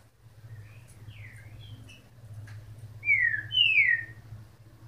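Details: Double-collared seedeater (coleiro) giving two loud, clear whistled notes, each sliding downward, near the end after a quiet start, over a steady low hum.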